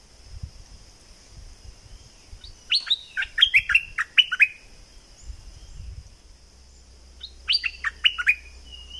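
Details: A southern Thai flowerpecker recording gives two quick bursts of sharp, high, downslurred chips, about six notes each, over a steady thin high whine and faint low rumbling.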